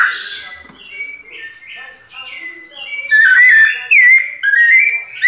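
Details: White-necked thrush in pianado style, preceded by a softer, higher series of short repeated notes, then loud clear whistles that swoop and slide in quick succession over the last two seconds.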